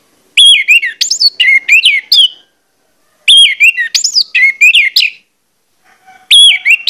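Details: Orange-headed thrush delivering a loud, insistent lure song to provoke rival birds into singing: bursts of three or four quick, sweet whistled notes with sharp upswept accents, the bursts separated by pauses of about a second.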